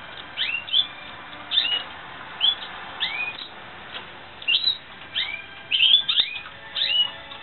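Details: Spanish Timbrado canary in training gives scattered short upslurred whistles and chirps in brief bursts separated by quiet gaps, over a soft background hiss.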